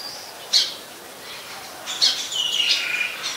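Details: Oriental magpie-robin singing in Ubon Ratchathani, Thailand, 26 December 2020, a very common resident there: a sharp high note, a pause, then a richer run of varied whistles and warbles.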